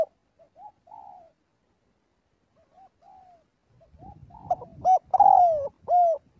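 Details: Flock-calling spotted dove during daily vocal training. Faint, scattered coos come first, then a loud phrase of round hooting notes with one long downward slur, over a low rumbling background noise.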